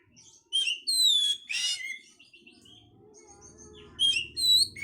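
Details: Oriental magpie-robin song meant to stimulate breeding condition: clear rising and falling whistles with a buzzy harsh note, a lull with faint low hum, then more bright whistled notes.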